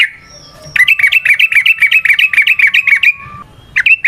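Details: Yellow-vented bulbul, locally trucukan, in a 'ropel panjang' lure song: a fast, steady burst of about twenty bright, slurred whistle notes in under three seconds, with a faint steady tone beneath and two more notes after a pause.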